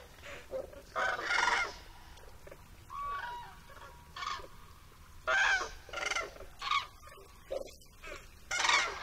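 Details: A flock of common cranes at shallow fish ponds in the Barycz Valley, Poland, landing after dusk to roost safely, trumpets loudly: rolling, bugling calls come in irregular bursts, roughly eight over nine seconds, against a soft background hiss.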